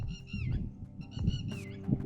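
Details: Red-wattled lapwing (Vanellus indicus) in the hills of Tamil Nadu, just freed from a man-made snare, giving sharp, high, slightly down-slurred notes in quick bursts over a low rumbling background that may be music.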